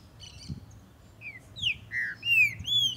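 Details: A Brazilian Green-winged saltator (Saltator similis), singing while warming up in tournament and breeding season, gives a brief run of clear, slurred whistles, some rising and some falling, about two per second, over a faint low rumble.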